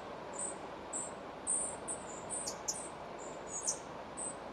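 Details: Spotted flycatcher near Moscow, Russia, around a nest where young are fed: thin, very high, short call notes, some rising or dropping sharply, repeated about once a second over a steady low rushing background.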